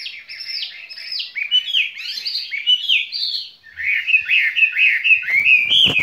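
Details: A caged skylark delivers dense, buzzy, chattering song phrases that run on almost without pause, ending with a burst of rapid high twittering and a sharp click.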